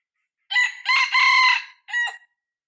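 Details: Young decoy cockerel of red junglefowl, six months old, used to lure wild junglefowl: a loud, hoarse crow in three rising-and-held segments, then a short clipped final note, in otherwise quiet surroundings.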